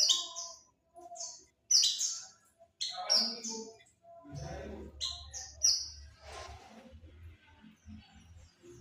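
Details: Lure call of white-eye for drawing in birds: bright, high-pitched chirping notes in rapid bursts during the first half, then fading into softer scattered chips over low rumbling and rustling noise.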